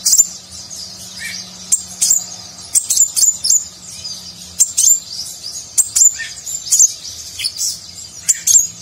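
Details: Van Hasselt's sunbird, known locally as konin or kolibri ninja, in lively 'gacor' song with rich 'nagen'-style fill for training contest birds; clusters of thin, very high tweets and quick trills, with a steady low hum behind.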